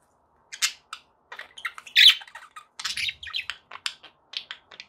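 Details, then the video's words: Pet budgerigars kept indoors, chattering in quick bursts of short buzzy chirps and warbled squeaks, loud and busy with brief gaps between phrases. "budgie sounds to keep your pets in happy bird company"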